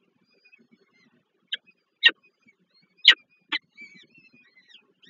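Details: Young peregrine falcons at the Żerań nest in Warsaw, Poland, May 2023, during feeding by their mother; scattered sharp squeals every half second to second over faint thin peeping.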